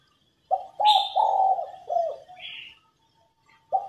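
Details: Female spotted dove cooing to stimulate males to sing: low husky coo notes in an uneven run with a longer drawn note in the middle, plus brief higher chirps from another bird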